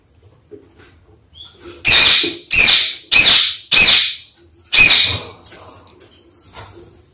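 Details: A pair of Red-fronted kakariki, the male rushing to peeled cut apples with his mate after a bath, give five harsh, scratchy calls of about half a second each, four close together then one after a pause.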